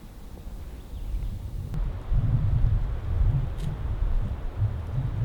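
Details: Outdoors, a heavy low wind rumble buffets the microphone, with a sharp knock partway through.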